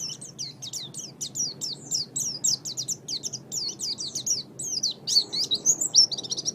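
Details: Oriental white-eye as a pet bird, singing in a master recording used to train songbirds. Continuous, energetic stream of very high, rapid, slurred chirps and twitters, growing more varied and dense toward the end.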